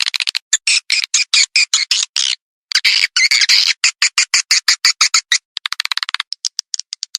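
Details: Calling sound of swiftlets used to lure them for farming: fast runs of sharp, high clicking chirps, a short silence, a thick squawky burst, then thinner rapid ticks fading out.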